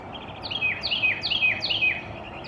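A Carolina wren sings a loud, ringing phrase of quick downslurred whistles, repeated about twice a second, over a faint hiss of background noise.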